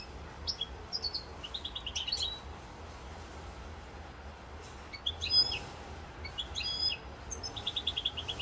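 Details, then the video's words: European goldfinch, Corsica, 7 November 2022: separate short bursts of twittering and ringing chips with quiet gaps between them, including a neat rapid series of repeated notes at the close, over faint low rumble. "chant chardonneret rosse corse"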